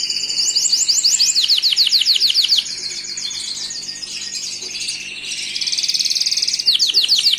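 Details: Gloster canary song of rapid swept whistles repeated at a fast steady pace, then a quieter rolling trill and a return to loud high trilled phrases.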